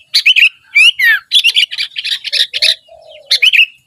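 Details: Sooty-headed bulbul in lively song: quick bubbly phrases of sharp chirps and warbled slurs, broken by a couple of low, soft, drawn-out notes near the end.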